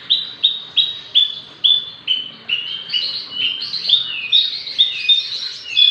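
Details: Javan bush lark, six months old, described as a vigorous singer suited as a tutor or prompting song: a steady run of clear whistled notes, each a short slightly falling phrase, repeated about twice a second and becoming busier toward the end.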